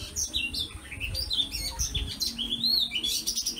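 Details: Escaped female Oriental magpie-robin singing alongside a household's kept bird flock before being trapped; a rapid, varied stream of high whistled and chattering notes, some sliding and some clipped, with brief scratchy phrases in between.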